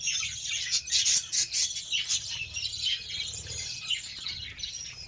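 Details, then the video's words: Budgerigars offered beetroot chatter softly in high, buzzy twitters, with a louder cluster of sharp chirps early on, then fainter, rambling warbles fading toward the end. "BUDGIES SOUNDS"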